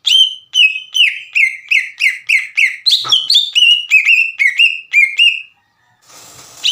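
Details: Provoking song of a green leafbird in full voice, used to make untrained leafbirds sing along: a long steady series of ringing downslurred whistles, about two per second, with a brief higher twist midway before fading into hiss.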